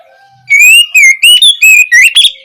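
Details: Singing Oriental magpie-robin, an opening phrase meant to coax young birds into song: six ringing whistled notes in quick succession, gently rising and falling, the last ones climbing higher, with a faint soft tone before them.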